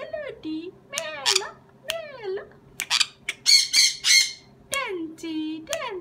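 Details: Sun conure letting out a run of harsh, grating squawks in quick succession, mixed with a person talking in Dutch with rising and falling intonation in a small room.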